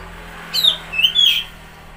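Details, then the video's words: Oriental magpie-robin song for prompting a stressed or silent bird: a short pair of whistled phrases, a falling slur then a level sweet note, over faint low hum. "Pancingan Suara Burung Kacer Macet/Stres"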